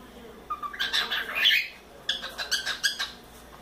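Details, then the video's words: Four-month-old pet cockatiel playing on its playground, giving a burst of scratchy squawks and chatter followed by a series of short clipped chirps indoors. "CALOPSITA assobiando muito"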